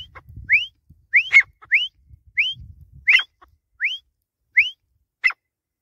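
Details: Grey francolin from Pakistan giving a string of upward-sliding whistles, about eight in under six seconds, with crisp clicks and some low thumping in between.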